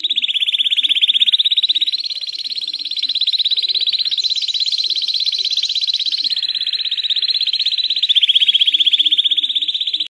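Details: Clean, clear Belgian canary singing for young birds to learn from: a long, rapid, rolling trill held at one steady pitch for ten seconds, briefly rising and thickening in the middle, with faint low background murmurs.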